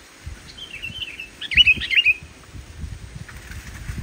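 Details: Sooty-headed bulbul in full, unembellished song used as a lure for bulbuls that are reluctant to sing: a soft warbled lead-in followed by a burst of loud, liquid whistled notes, then low thumps.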